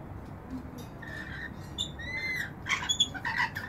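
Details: Rainbow lorikeets splashing in a balcony bird bath trade brief whistles and scratchy squawks, quiet at first and growing into a busier run of sharp chirps toward the end.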